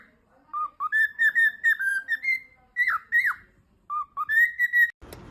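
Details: Singing pet cockatiel at play, hiding and reappearing in peek-a-boo: lower whistles step up into a chain of bright repeated notes, two sharp falling swoops, a pause, then a rising phrase ending in a burst of noise.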